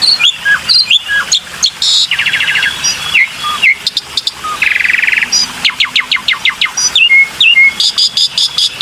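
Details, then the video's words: Black-winged myna calling with sharp chirps, clear whistles and two buzzy rattling bursts, mixed with short downslurred notes in a fast, chattering sequence. "PANCINGAN SUARA BURUNG JALAK PUTIH"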